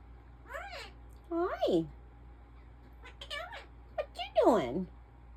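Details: Indoor African ringneck parrot mimicking words: several short, nasal, speech-like bursts with rising and falling pitch, the last one loudest, with a low background hum.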